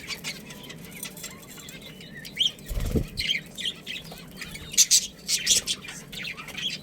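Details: Breeding pair of budgies, Australian parrots: soft, rambling warble with a brief low rumble partway, then clustered sharp chirps toward the end.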